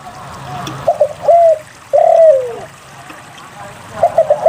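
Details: Spotted dove singing steadily, used as a lure to prompt reluctant doves to sing: quick stuttered coos leading into a long smooth coo that slides downward at the end, phrases repeating over a low steady background hum.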